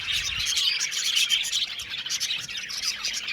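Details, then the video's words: An Australian budgie colony in an aviary makes dense, busy chirping and twittering, many voices mixing into one continuous high chatter. "Beautiful budgies singing sound | budgies chirping sound"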